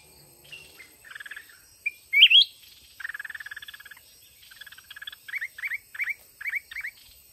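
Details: Red-whiskered bulbul lured into a fighting contest by a caged decoy in the mountains: harsh pulsed chatters and one bright rising warble, then a run of quick, repeated, upward-flicking notes.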